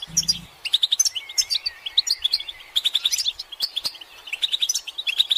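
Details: Group of European goldfinches chirping, calls meant to stimulate males to sing and end their silence: quick clusters of sharp, bright tweets and short trills, with a faint drawn whistle mid-clip and a low thump at the start.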